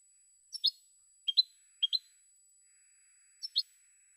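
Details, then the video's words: European goldfinch recorded in 2016, giving soft, spaced pairs of high chirped notes, four pairs over about three seconds. "Cante De Jilguero"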